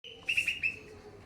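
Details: Greater green leafbird of the Pakpak type singing energetically amid noise: a brief run of four sharp, bright chirped notes in quick succession over a steady low background hum.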